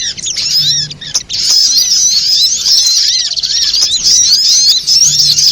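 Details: Little spiderhunter lure sound for bird trapping: an almost unbroken, shrill stream of fast twittering notes with occasional lower down-curved chirps and no gaps.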